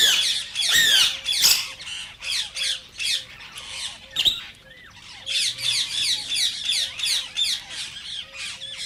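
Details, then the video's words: Green rose-ringed parakeet, an Indian ringed parakeet, calling in a recording meant to stimulate other parakeets to sing and mate: harsh, scratchy screeches in rapid irregular bursts, some loud downslurred shrieks, with quieter overlapping chatter between them. "صوت ببغاء الدرة الخضراء"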